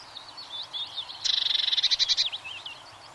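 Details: Blue tit singing a sharp, rapid trill of evenly repeated high notes for about a second, rising in loudness then fading, with softer twittering phrases from other birds heard throughout.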